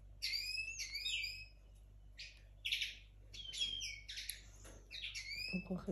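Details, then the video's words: Young 2022 linnet hybrid in its early song: quick runs of bright, sliding twittered notes in clustered phrases, pausing now and then, with a low hum and a faint soft knock near the end. "Mixto de Pardillo 2022. Los comienzos"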